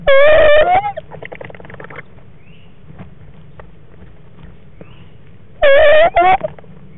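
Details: Barred owl in a nest box in February, feeding on a frog; a loud harsh rising squawk-like call, heard twice about five seconds apart, with quiet rustling and scratching between.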